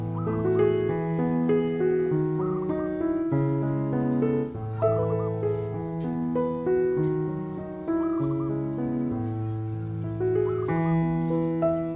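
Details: Steady instrumental music with sustained keyboard-like chords plays throughout, and no animal calls stand out.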